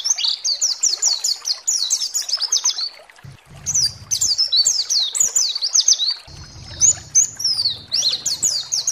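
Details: Energetic white-eye song for provoking rival white-eyes to sing: repeated bursts of very rapid, high chirps and sweeping whistles, split by short breaks. A low hum is heard during the gaps.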